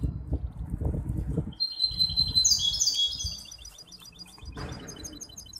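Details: A hybrid goldfinch competing in a song contest, Ain Chock bird association, Casablanca, 23 May 2021: low rumbling room noise first, then a burst of high buzzy twitters and quick clicking trill notes.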